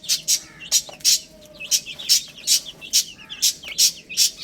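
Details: Chicks eating spinach. Bright, high chirps mix with loud, sharp tapping about twice a second, probably beaks pecking at the leaves.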